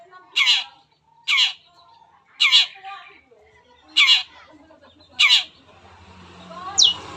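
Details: Long-tailed shrike sound used as a lure to get other shrikes singing quickly: five harsh, grating bursts roughly every 1.2 seconds, with faint low background noise toward the end.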